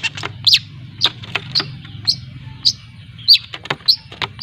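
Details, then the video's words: Long-tailed shrike from Lampung practising 'ngriwik' as a lure sound: sparse, sharp chirps and squeaks at uneven intervals over a low background hum. "Suara Pancingan Burung Cendet Belajar Ngriwik ‼️Cendet Lampung"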